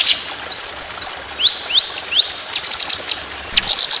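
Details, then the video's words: Competition-style white-rumped shama song with long 'tembakan' rolls: clear upward-sweeping whistles, some doubled, followed by short sharp chips and a brief scratchy flourish. "Masteran Burung Lomba Tembakan Panjang Roll Speed"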